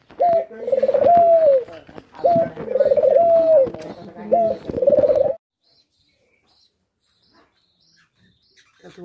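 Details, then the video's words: Dove calling in three coo phrases about two seconds apart, each a brief clipped note followed by a longer wavering, slightly falling coo, then several seconds of near silence. "ঘুঘু পাখির ডাক"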